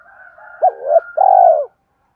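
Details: Spotted dove cooing, played to stimulate and train decoy birds: a short rising note that swells, then a longer, steady, slightly falling coo after a brief gap, mid-pitched and hollow, with faint higher notes behind.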